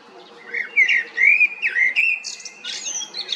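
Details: A common blackbird (Turdus merula) sings a mellow, fluting warble of slurred rising and falling notes, ending in a higher, scratchy twitter; a faint low background hum underneath.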